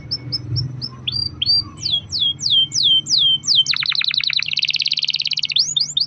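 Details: Canary singing a long-roll phrase to prompt other canaries: spaced high chips speed into a series of slurred descending whistles, then a rapid, pulsing buzzy trill, ending with more whistled notes.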